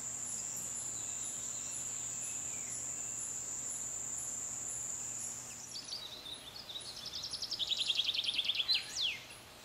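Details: Buff-winged starfrontlet, a hummingbird. A rapid series of high, dry chattering notes swells in loudness for about two seconds, then ends with a sharp downward-sweeping note, over a steady high whine.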